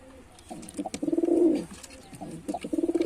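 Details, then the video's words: Performing male white pigeon delivering a deep, vibrating coo that builds and fades, followed after a short gap by a second rolling coo starting, light tapping sounds in between. "Male Pigeon Super Performance"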